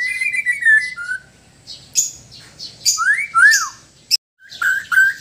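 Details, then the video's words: White-rumped shama from Sabah, Borneo, in relaxed and loud song: clear, rich whistled phrases that slide up and down, mixed with sharp high chips and short breaks between phrases. "Murai batu Sabah: Suara santai & suara keras"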